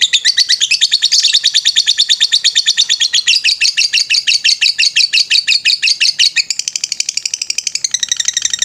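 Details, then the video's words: Lovebird's ngetrek song, recorded as a master for training birds: an unbroken, rapid, chattering high trill throughout, with notes pulsing several times a second and shifting slightly in pitch near the end. "MASTERAN LOVE BIRD NGETREK"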